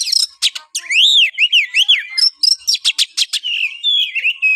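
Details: Kacer, the Oriental magpie-robin, singing to prompt a quiet bird to sing: arching whistled notes rising and falling, then a rapid series of sharp clipped notes and a thin sustained whistle near the end.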